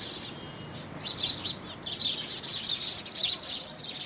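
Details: Squabble among house sparrows over a homemade nest box, first week of February 2017. A continuous chatter of shrill, tumbling chirps runs throughout, growing louder and denser in the second half.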